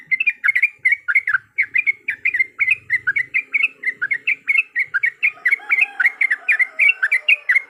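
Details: Yellow-vented bulbul song used as a lure to spark fighting song: a long, steady run of quick, gurgling chattering notes, evenly paced and unbroken, with a soft low tone appearing toward the end.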